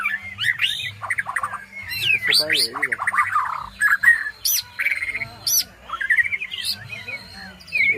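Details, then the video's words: White-rumped shama song used as a lure to stimulate a shama that has stopped singing. It consists of loud, varied whistled phrases with rising and falling slurs, a few harsh buzzy notes, and short pauses between phrases. "Pancingan Burung Murai Batu Macet"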